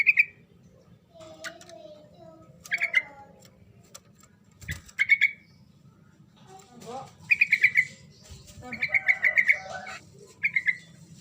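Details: Lively sooty-headed bulbul song meant to make a quiet bird respond, with short rapid chirpy bursts scattered throughout, some single notes and some rattled runs, plus softer lower warbling between them and a faint background hum.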